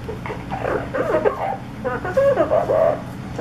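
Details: Pet parrot imitating sounds: a run of mid-pitched, wavering tonal notes with rich harmonics, some rising and falling like mimicked speech, in short phrases over about three seconds, with a steady low hum in the background.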